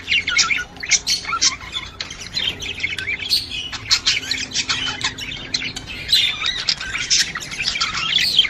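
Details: Budgerigar mating chatter to stimulate a female to breed, made of busy overlapping chirps, squeaks and buzzy warbles running without pause.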